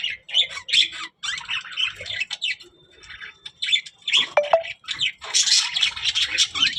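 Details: Budgerigar, a talking parrot, giving rapid varied warbling chatter mixed with squawks and a few clear whistled notes.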